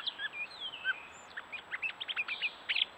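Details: Courting Gray catbird in New Hampshire woods, Strafford County: a slurred descending whistle, then a quick run of clipped squeaky notes and chips in rapid succession.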